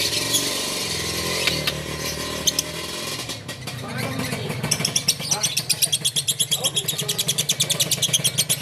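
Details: Lovebird in Takengon, Aceh, singing in the konslet style: after a stretch of loud talking and background noise, a fast, steady run of sharp, high chirps repeated several times a second, with men urging it on.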